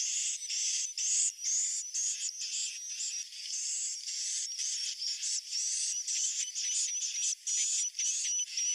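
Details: Roosting call of swiftlets: buzzy, high-pitched chattering bursts about two per second, with a thin whistled tone running through them and brief gaps between phrases.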